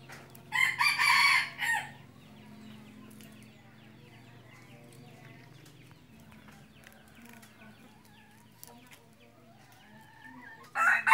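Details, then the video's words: Red junglefowl decoy bird used for hunting, crowing once: a loud, harsh, harmonic crow of about a second with a brief tail, then quiet with faint background rustle, and another crow beginning at the very end. "ไก่ต่อไก่ป่า-qaib dib qaib qus"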